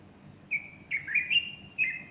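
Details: A bulbul sings in the morning of 30 August 2015, a Sunday, with a female standing close and fluffing her feathers. It gives one clear whistle, then a rapid rising and falling run of fluty notes and a final slurred note.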